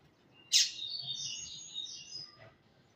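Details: Double-collared seedeater, tui-tui song type: a sharp high note followed by a thin, wavering whistle-like sweep lasting about two seconds, over a low background hum.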